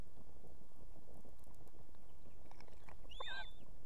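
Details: Female osprey at a nest in Estonia with two chicks, calling for the male to deliver food: after a stretch of low rumbling background, one brief arched whistled call with a lower accompanying note near the end.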